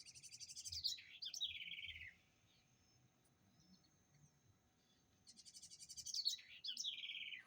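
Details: House wren, known locally as garrincha or roxinol, said to sing in a distinctive way: two song phrases, each opening with a fast buzzy rattle of high notes, then sliding down into lower warbled notes, about four seconds apart; quiet background hum.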